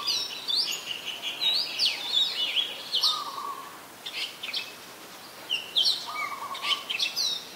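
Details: Red-whiskered bulbul, an adult, in Ubon Ratchathani, Thailand, 3 January 2021, giving lively chirping, whistled phrases in bursts separated by short pauses, with a brief steady tone in the background twice.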